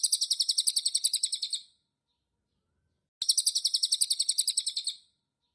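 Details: White-eye, locally called cililin, singing after being bathed: two bursts of rapid, high, evenly repeated chirping notes, each burst lasting under two seconds and separated by a silent gap.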